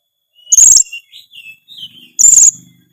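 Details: Oriental magpie-robin singing in the energetic gacor style packed with varied phrases: two loud, piercing high bursts with softer whistled notes drifting between them.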